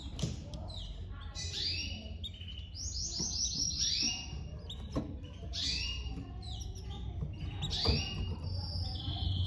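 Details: Domestic canary chicks being fed by their mother: a series of rising, squeaky high-pitched calls in clustered bursts over a steady low background hum.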